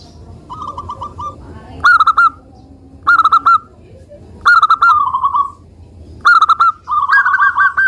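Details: ['A persistent local zebra dove, played to lure other doves into song: soft trilled runs alternate with loud bursts of three or four clipped coos, repeated roughly every one and a half seconds.']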